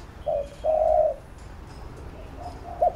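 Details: Spotted dove giving a training coo for a decoy bird: one clipped note then a smooth long coo, quiet pause, and a short note at the end.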